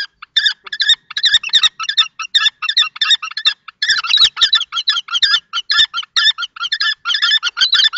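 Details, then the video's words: Long confrontation between a juvenile-plumaged male and an adult male common kestrel at a Théding nest box, France, 20 March 2024; dense, urgent, shrill calling, notes tumbling rapidly and almost continuously, growing busier in the second half. "Bagarre entre 2 mâles"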